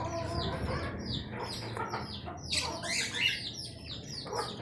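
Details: Budgerigar calls: busy, high chirps and short downslurred squeaks come in quick overlapping bursts over a low background hum.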